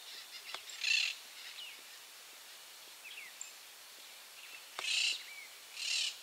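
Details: Monk parakeets screaming at Barra do Ribeiro, Rio Grande do Sul, Brazil, give three harsh, grating screeches, each about half a second long, with faint chirps and quiet outdoor background between them.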